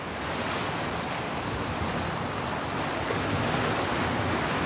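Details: Continuous roar of surf and wind noise fills the recording, with no animal voice.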